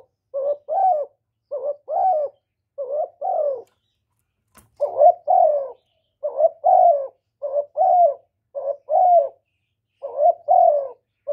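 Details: Spotted dove giving its calling and cooing notes to spur male birds, recorded without background noise. Around nine brisk two-part coos are heard. Each has a clipped rising opener and a fuller falling second note, with a short break partway through.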